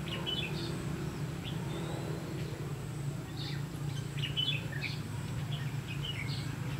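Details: Red-whiskered bulbul singing as a trapping decoy, 'lăng săng ché-cánh' style, 30 May 2016. Clusters of bright, twittering warbled notes alternate with short pauses, set against a loud continuous low drone.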